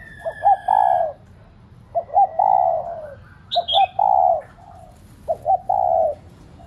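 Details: Spotted dove used as a decoy so pet doves will coo. Three clear phrases come at roughly two-second intervals, each with two or three staccato notes and then a full falling coo. A high chirp interrupts midway.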